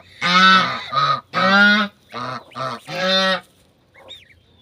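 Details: Farmyard domestic goose with her goslings honking in a series of loud, brassy, drawn-out calls, some doubled, in quick succession, then quiet with a faint, high gosling peep at the end.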